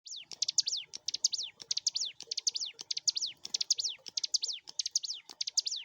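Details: Bar-winged Prinia (ciblek gunung) singing actively as a lure recording for training caged songbirds: rapid bursts of high, steeply falling whistled notes, each group of several notes repeated about every half second, steady and insistent throughout.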